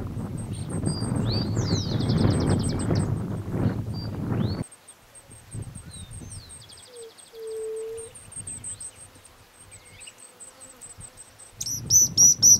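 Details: Stripe-crowned spinetail (Cranioleuca pyrrhophia) feeding nestlings, giving thin, very high squeaky notes and short buzzy trills in quick runs, over low wind rumble and a brief hollow hum.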